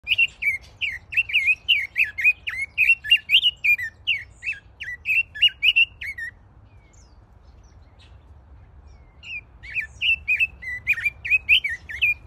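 A red-billed leiothrix sings a fast run of bright, warbling notes, pauses, then starts again.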